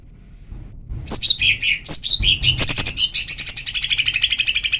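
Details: Female lesser green leafbird calling, used as a lure to provoke males into singing; after a second of quiet, sharp high chirps and downward-sweeping notes tumble out, becoming a fast, steady run of repeated bright notes.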